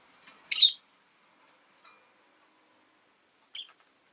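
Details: A rosy-faced lovebird kept as a pet lets out one loud, piercing chirp, a faint tick later, and a second, shorter, thinner chirp near the end, with near silence between.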